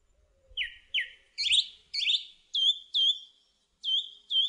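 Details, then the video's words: Song thrush song built from paired phrases: a down-slurred whistle twice, a buzzy rising note twice, then an up-flicked whistle sung twice and twice again, with short gaps between. "Song Thrush Singing"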